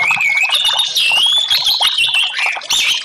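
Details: Song of the orange-headed thrush in a recording meant to make silent caged birds sing: a long, slurred whistled line that rises then wavers, layered over fast chattering notes, with a faint low hum.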